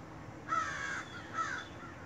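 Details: Large black crows near a home on a rainy day: two loud, rasping caws about a second apart, each followed by a softer, shorter note, with constant rain noise behind.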